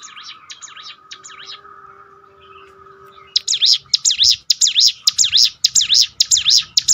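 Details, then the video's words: Bar-winged prinia training song meant to restore a downcast bird's spirit: quiet, distant chirping first, then loud, high, sweeping V-shaped notes repeated briskly and evenly, over a constant thin background tone. "bikin ciblek gunung Ngetop"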